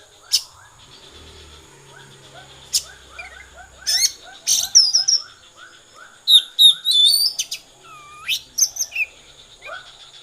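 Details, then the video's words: Oriental magpie-robin song in the konslet style, starting quietly among many soft repeated low notes, then louder bursts of high whistles, sharp chips and a deep downward slur. "kacer konslet"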